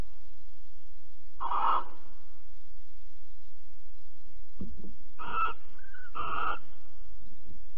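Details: Barn owls mating and cuddling, Alphen, 22 April 2020: one harsh hissing screech early, then two more close together later, with a soft short whistle between them and low background hum.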